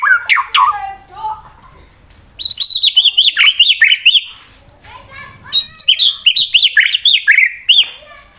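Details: White-rumped shama, fighter type, Wonosobo, Central Java, Indonesia, sung to provoke rival birds: high, bright repeated notes in quick bursts, sweeping whistles and rhythmic chattering series with brief quiet gaps.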